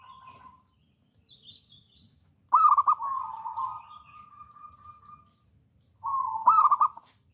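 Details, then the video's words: Local wild-type zebra dove, a keen singer kept as a master and lure bird, delivering a loud stuttered burst that runs into a long, steady purring trill, then another short coo ending in rapid stammered notes. "PERKUTUT LOKAL ALAM GACOR"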